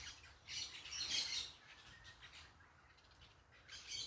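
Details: Parakeets calling at some distance outdoors: a loud cluster of harsh screeches early on, then fainter intermittent squawks, rising again at the close.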